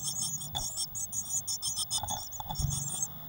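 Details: A nest box holding six crowded Eurasian blue tit chicks, 22 May 2019; dense clusters of shrill high-pitched peeps come in quick overlapping runs, with a few low thumps and a background hum.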